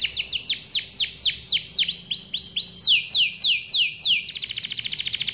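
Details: Canary in full song, a long rolling performance meant to set other canaries singing: a series of loud downward-swooping whistled notes about four per second, shifting into a very rapid even trill at the end.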